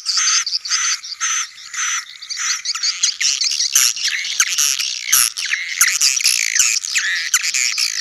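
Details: Colony of swiftlets in a sedot anakan lure recording for new swiftlet houses; rhythmic chirp bursts at first, then dense irregular twittering and sharp clicks from many birds.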